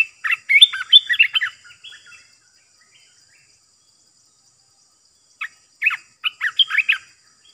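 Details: Decoy-call recording of a caged Olive-winged Bulbul: a lively run of warbled, chirping notes, a pause, then another burst of sharp bubbling notes.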